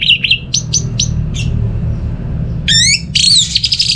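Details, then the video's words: Short sharp whistled notes spaced out at first, then after a pause a descending stack of ringing tones and a rapid trilled flourish, from an orange-headed thrush in North Bali. "Gak Sabar ANIS MERAH Mau Nyaut Gacor"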